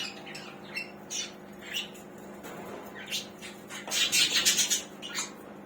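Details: Budgerigars heard while being checked on: scattered squawky chirps over a steady low hum, building to a dense burst of harsh, rapid chatter near the end.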